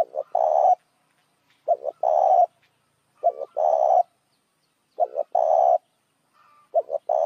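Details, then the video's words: Repeated lure cooing of a spotted dove meant to attract other doves. Each phrase has two short low notes leading into a longer rough coo, recurring about every 1.6 seconds. "tiếng chim cu gáy kích mồi"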